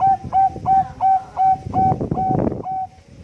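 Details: Zebra dove of the Bangkok strain singing a competition-quality song used as a lure; evenly spaced short hollow coos, nearly three a second, partly masked by rough broadband noise in the middle.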